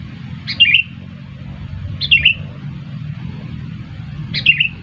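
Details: Three chirpy, down-slurred whistled phrases of a sooty-headed bulbul, used as a lure for trapping, spaced about 1.5 to 2 seconds apart, with low background rumble.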